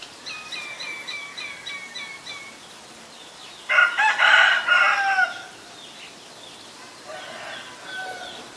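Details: Common myna recorded in Ubon Ratchathani, Thailand, on May 4, 2022, with a Nikon P1000: a run of clear, evenly repeated tonal notes, then a loud, harsh, rasping burst of about a second and a half, followed by quieter notes.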